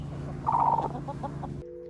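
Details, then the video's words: Hen's soft trill, a purr-like sound made when feeling safe, calm and content, as when cuddling or sunbathing; a brief rolling, pulsed murmur with a low steady hum and music underneath. "It's called a trill. A soft rhythmic sound they make when they feel totally safe, calm, and content."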